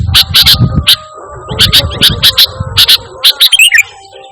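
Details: Energetic sooty-headed bulbul singing without borrowed phrases, meant as a calling and tutoring sound for pet birds: spaced sharp chips in pairs and triplets, ending in a brief twittering warble, with faint low background hum.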